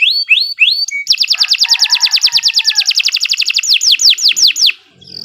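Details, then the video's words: Canary in continuous song used for training birds: a few swept whistles, then a long fast trill of sharply descending notes, roughly six per second, ending in slower sweeps. "Kicau Burung Kenari II GACOR PANJANG Cocok untuk Masteran"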